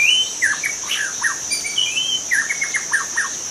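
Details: Wild young White-rumped shama from forest singing bright upslurred and downslurred whistles, a level high whistle, then a quick chain of sharp slurred notes, over a steady insect drone.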